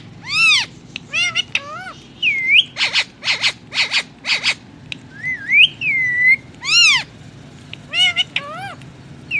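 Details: Ring-necked parakeet kept as a pet, said to be speaking in Hindi: clear whistled sweeps and rising-falling tonal notes, some rapid repeated pulses, with a low steady hum underneath.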